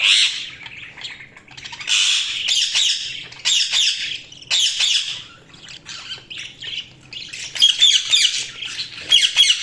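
Budgerigars chirping in bursts of scratchy, high warbles and squawks.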